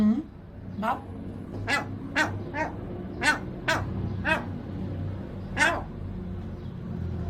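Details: Gull; calls; protesting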